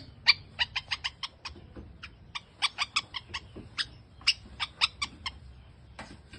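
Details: Creamino mutation long-tailed shrike, a rare kept bird, delivering a run of sharp, clipped chattering notes in uneven bursts, some doubled, over a low background hum.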